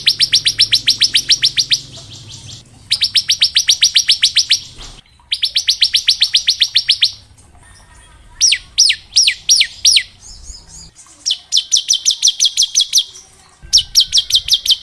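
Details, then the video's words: Bar-winged prinia in varied ngebren-style song for training young prinias: repeated fast buzzy trills of one to two seconds separated by short pauses, with a slower bout of spaced sharp notes in between. "Suara Ciblek gacor ngebren syahdu buat Masteran ciblek ngebren variasi"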